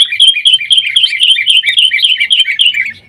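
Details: Sooty-headed bulbul pouring out rapid alternating high and low chirps in steady 'gacor' chatter, a lure to make caged bulbuls sing.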